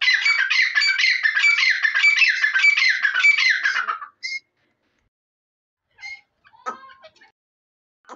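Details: Grey francolin, known locally as teeter, delivers about four seconds of loud, evenly repeated scratchy call phrases. Then come near silence and a few isolated faint squeaky notes.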